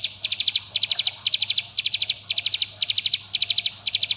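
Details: Bar-winged prinia lure recording in the close 'bren' style, meant to make young birds join in. Shrill, rapidly ticking notes grouped in bursts of five or six, evenly repeated about twice each second over a faint low drone.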